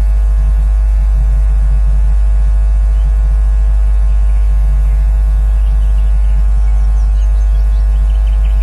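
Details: Loud, steady electrical mains hum with buzzing static from a nest camera feed, and no bird calls.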